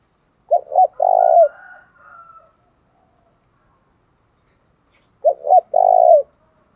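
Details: Spotted dove song in the thổ pha đồng style, repeated twice about five seconds apart. Each phrase has two brief coos and a longer mellow coo, with a faint softer trailing note after the first phrase.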